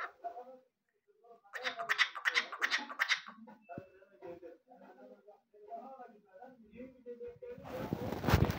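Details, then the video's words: A cockatiel talks in clear, speech-like syllables: a bright, rapid burst of words, then softer, lower phrases. A rough rustling noise follows at the end. "En net konuşan kuş"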